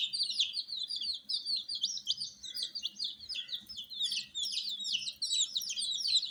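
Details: Several coloured chicken chicks under a heater peep busily; many quick descending cheeps overlap into a lively high chatter, somewhat quieter and more distant, with a low hum underneath.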